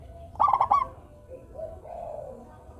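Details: Zebra dove, local type, one short burst of quick stuttered cooing notes followed by soft drawn-out coos; played to stir idle doves into singing.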